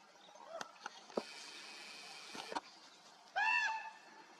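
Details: Common raven in flight, 30 July 2024: scattered clicks and a rushing noise, then one loud, harsh, harmonic call near the end of the short stretch.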